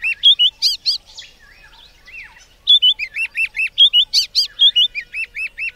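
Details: White-browed scrub robin delivering two bright phrases of rapid, repeated whistled notes, some upslurred, some dropping, with piercing high accents; a quieter twittering passage separates the phrases.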